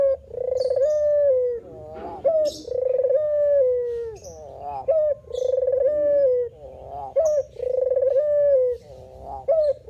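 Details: A spotted dove male (puter) coos steadily in manggung style. Upswept opening notes lead into hoarse, pulsing coos that level off and fade downward, about every two and a half seconds. Soft high chirps and clicks sound in the background.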